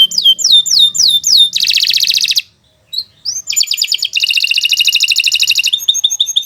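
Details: Canary delivering a long, speedy tutor song meant to train other birds: falling whistled slurs, a dense buzzy trill, a brief pause, a few rising notes, then another long rattling trill ending in quick chips.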